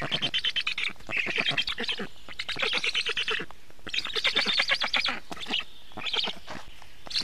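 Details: At a black stork nest during feeding, evening of 24 June 2017: grating, buzzy chatter made of fast rattling pulses, delivered in uneven bursts with brief gaps.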